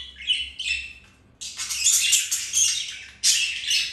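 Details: Budgerigars mating, flirting and playing indoors; a few warbled chirps, a short pause, then a long harsh buzzing squawky chatter held for nearly two seconds, followed by another shrill burst.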